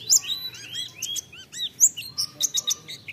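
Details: White-eye song played to stimulate singing: bright, high chirps with arched, slurred notes and quick sharp tweets in an irregular, lively sequence, with soft low background noise.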